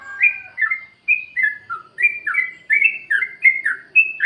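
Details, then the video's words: Sooty-headed bulbul (trucukan) in free-style 'plik plok' song, used to prompt reluctant caged birds to sing: a lively run of short, liquid, slurred whistled notes rising and falling in quick succession, clear and unaccompanied. "Suara pancingan Trucukan plik plok gaya bebas untuk burung yang malas bunyi"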